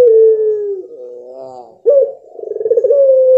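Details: A Barbary dove of the puter pelung type gives a long, loud coo: a drawn-out, slightly falling note, then a wavering middle, then a throaty rolling trill that settles into a steady held tone.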